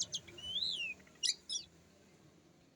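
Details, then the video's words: Oriental magpie-robin (kacer) song used as a relaxed lure to prompt other birds to sing, with harsh material: a sharp high note, a long rising-then-falling whistle, then two brief bright chips over faint background hiss. "Pancingan Suara Kacer Santai; NGEPONG NGEPLAY SENDIRI MATERI KASARAN"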